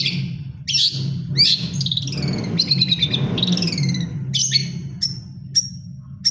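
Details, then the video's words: Long-tailed shrike singing while moulting: rough chirps giving way to a flowing series of clear, falling whistles, then a few isolated high pure notes near the end, over a low hum. "cendet mabung tetap gacor"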